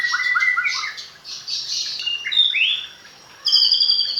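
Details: Hand-reared captive magpie-robin with fluent song fill: chattering high notes and short whistles, a swooping upward slur, a pause, then a bright ringing whistled phrase.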